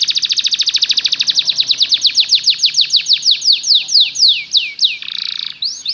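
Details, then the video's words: Belgian canary song used to coax canaries into singing: a rapid trill of repeated down-sweeping notes that gradually slows and stretches into separate slurred whistles, then a short buzzy burst and a quick return to trilling. "LONG CANARY SOUND || EMOTIONAL CHANNELING EFFECTIVE to lure canaries to learn to sing"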